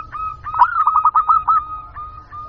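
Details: Local zebra dove used as a lure: a steady tone breaks into a rapid trill of hooked coos, then settles into a few slower, drawn-out notes.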